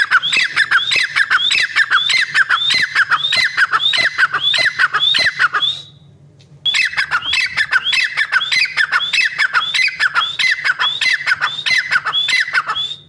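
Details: Female black francolin calling, used as a lure when hunting and trapping: rapid, rhythmic harsh squawks with rising whistled notes. A short silence breaks them about halfway through, then calling resumes at the same steady pace.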